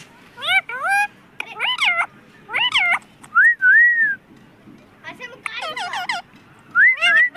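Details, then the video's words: Pet parrot said to speak "mummy papa" produces bright whistled, warbling syllables with rising and falling sweeps, a sustained wavering whistle and quick chatter, with soft background noise. "mummy papa bolne wala tota"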